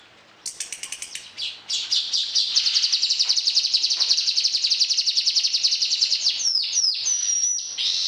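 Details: Orange-headed thrush singing steadily with varied fill-ins, used as a tutor song for training other birds at morning and evening. A fast, even rattling trill of buzzy notes runs for several seconds, then breaks into thin, sliding whistles.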